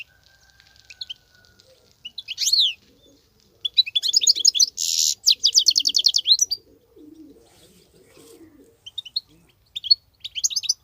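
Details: Wild goldfinch in sustained song: high sweeping whistles, then long, rapid, buzzy trilled twittering runs and a harsh rasp, while soft low cooing of a dove runs underneath.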